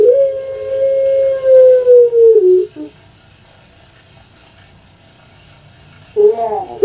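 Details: Puter pelung, a kept dove famous in Java, Indonesia, giving its long-voiced coo: a sustained, slightly falling tone held for over two seconds, then a brief break and a wavering restart near the end.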